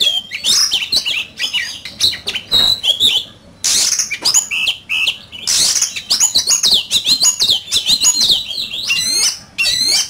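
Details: Oriental magpie-robin singing in a heated song duel: rapid, loud whistles and upslurred notes mixed with harsh, scratchy bursts, delivered in quick succession with few gaps.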